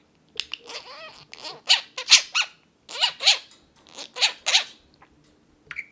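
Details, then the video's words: Talking male budgie on the owner's shoulder, chattering in a dense run of buzzy, scratchy syllables and quick rising and falling warbles, several bursts per second, in a quiet room. "budgie talks to me on my shoulder"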